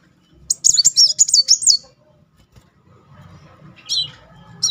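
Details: Muncang sunbird in rolling song, used to stir a silent bird: a short burst of rapid, high, swirling chirps about a second long, a quiet gap, then two brief sharp high calls.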